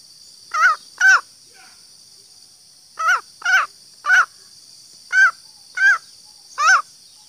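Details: Female green junglefowl luring call: eight brief hoarse clucks in loose pairs and singles with irregular gaps, rough and nasal in tone, set against an unbroken high-pitched background hiss.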